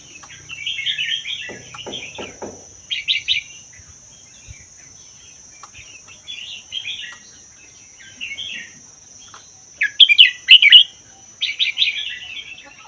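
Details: Wild-caught Vietnam–Laos red-whiskered bulbul held one year, singing its 'double' style: repeated rich warbled phrases of mid-high notes separated by pauses, a few low clicks, and a constant high electronic tone.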